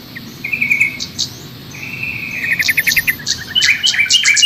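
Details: Training master for a caged trocok garuda: two long flat trilled whistles, then a busy burst of high chips and short notes gathering pace toward the end.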